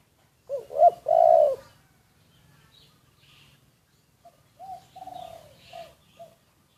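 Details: Decoy spotted dove, covertly recorded: one full cooing phrase of two short notes and a long coo, followed by a softer, broken series of faint clipped coos.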